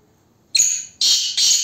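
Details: Black francolin giving three loud, harsh, grating notes in quick succession, the first short and the next two longer and buzzier.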